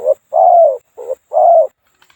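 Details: Spotted dove, a two-coo bird with a small voice, calling as a decoy in trapping: low, hollow coos, a short note then a longer drawn-out one, repeated twice.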